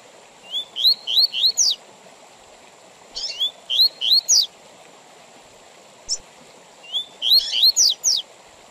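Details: Double-collared seedeater song of the Tui Tui Zel Zel style, with pauses, used for teaching young birds and for tournaments: bursts of rising whistled notes ending in sharp high sweeps, separated by pauses of over a second, over a steady high whine.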